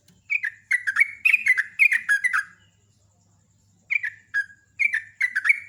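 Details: Hard-singing sooty-headed bulbul, fast and loud: two tight clusters of liquid, downward-slurred chirps packed closely together, separated by a short silence, over a faint low hum.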